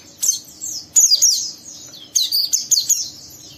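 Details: A young oriental white-eye sings coarse ngeriwik notes to draw an untrained bird into singing. Three clusters of thin, high, tumbling chirps are broken by brief pauses.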